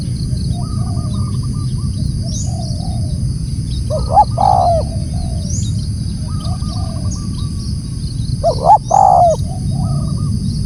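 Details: Spotted dove calling loudly, two phrases of short notes leading into a falling coo, spaced several seconds apart, among repeated stuttering notes from other birds and a constant low rumble.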